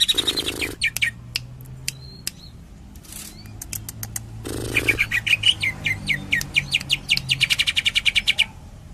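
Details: Greater green leafbird from Cililin singing tembakan: harsh buzzy bursts alternate with long, accelerating runs of sharp, high chirps and scattered clicks, ending in a dense volley of rapid notes.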